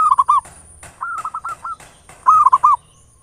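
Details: Local zebra dove song meant as a lure to quickly rouse other doves: a rapid rolled coo, a slower phrase of four separate cooing notes, then a loud final stuttered burst, all within three seconds, over a faint high whine.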